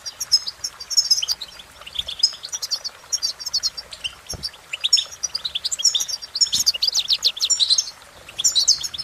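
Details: European goldfinch song, a continuous, liquid twittering of bright, high trills and chirps tumbling quickly over one another.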